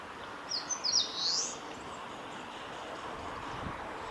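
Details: Eastern crowned warbler singing at the Kawaguchiko Field Center, Japan, on 20 April 2019: one high, buzzy phrase of quick rising and falling notes lasting about one second, then quiet background hiss.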